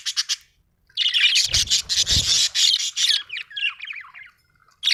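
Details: Budgie chatter: a dense, continuous run of buzzy, scratchy chirps lasting several seconds, then looser warbled twitters and a final burst, with a faint low thump underneath.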